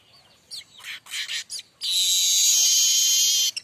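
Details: Streaked weaver in the mbeset song style, a tutor song for other weavers: several scratchy, grating notes in quick bursts give way to a steady sizzling wheeze lasting well over a second, then a short final note.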